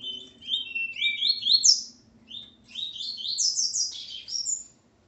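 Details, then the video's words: Double-collared Seedeater, a male with his female, delivers loud, clean song: stepped whistled notes climbing and falling, then a second rapid phrase of high rising chirps ending in a thin trill. "Coleiro Ponto 50 e sua Fêmea Calibre 40."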